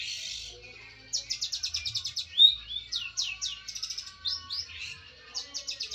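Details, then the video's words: Long-tailed shrike, a competition songbird said to win at district and national level, singing a fast chattering run of high notes, then varied slurred whistles and rapid clipped trills, fairly quiet and distant. "cendet slalu juara d tingkat kabupaten dan nasional"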